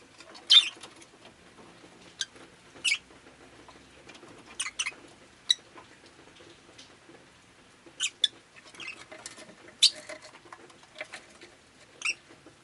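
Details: Pet rosy-faced lovebird on a rainy day, giving scattered high, thin chirps and short buzzy notes at irregular intervals, some in quick pairs, over a quiet background with faint household and street noise.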